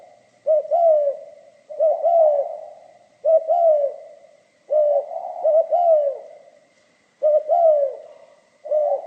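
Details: Repeated song phrases of a spotted dove in the 'pha kim' style: soft stuttering double coo, then a longer descending note, cycling with gaps of a second or more, against a weak continuous high tone.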